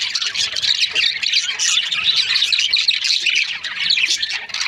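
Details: Budgerigars kept as breeding pairs squawk and chirp together, a bright, dense chatter of many overlapping voices with occasional clear whistled notes.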